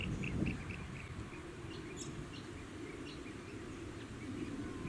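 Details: Rainbow bee-eater (Merops ornatus) on Bribie Island, Queensland, in October 2019, giving short rolling chirps in quick runs of several each second, over a steady low rumble of wind or distant traffic.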